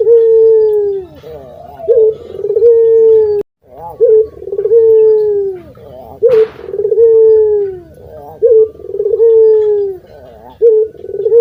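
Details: Very loud, melodious local puter dove song, the kind used as a lure. Each phrase is a quick rolling trill, then a sustained low coo that slowly sinks, repeated steadily with one brief gap.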